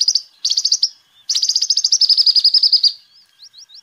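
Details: Sunbird song for luring birds and tutoring them: two short high trills, then a long, fast, even trill of buzzy notes lasting about a second and a half, ending in three thin upslurred whistles.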